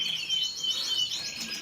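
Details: Canary holding a thin, pure whistled note under a layer of quick chirping trills, brief and high-pitched.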